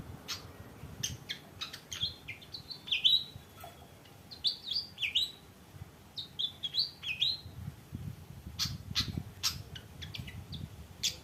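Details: Fantail in an Indonesian songbird-keeping setting, described as singing energetically: a lively run of high, sharp chirps and short twisting whistled phrases, bursts coming every second or so across the clip, with faint low background rumble.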